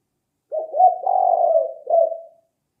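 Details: Spotted dove used as a lure: one drawn-out, buzzy cooing phrase that swells and then softens, closed by a final shorter dipping note.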